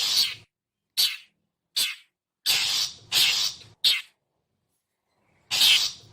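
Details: Harsh calling of a long-tailed shrike for luring wild birds: several short scratchy notes, then a pair of drawn-out rasping screeches, a silence, and one last loud squawk.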